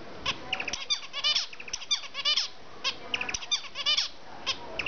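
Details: A zebra finch sings in the afternoon, a quick, buzzy song of nasal notes and rapid stacked chirps.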